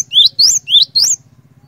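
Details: Lively cinereous tit song, played to set other cinereous tits singing: two clear double-note phrases, each a lower slurred whistle followed by a higher one, given rapidly back to back, with a faint low hum beneath.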